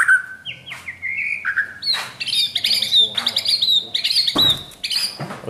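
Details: White-rumped shama in training, varied whistles leading into a fast run of harsh, buzzy repeated notes and clicks.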